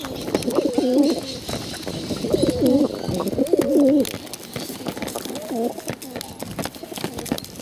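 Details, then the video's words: Bottle-fed pigeons beg hungrily with repeated wavering, rolling warbles in close bursts, the calls fading slightly later, over rustling and clicking noise. "hungry bottle fed pigeons"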